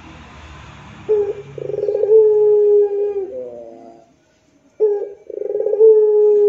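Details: Spotted dove (puter pelung) in moaning rintihan style for teaching kept doves: a short coo, a pulsing roll, and a long level mellow note that falls away, then silence before the same sequence starts again.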